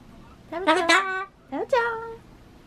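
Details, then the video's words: Captive Ducorps's cockatoo mimicking speech while trying to say bye-bye: two rough, word-like phrases, the second ending in a level, drawn-out vowel. "ソロモンオウムたろちゃん バイバイを言いたいだらだらお喋り ５１ Talking Cockatoo"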